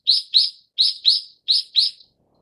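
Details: Brown-eared bulbul of subspecies Ixos amaurotis harterti giving loud, harsh, buzzy calls in three paired bursts, each note slurring downward, about two pairs per second, against a silent background.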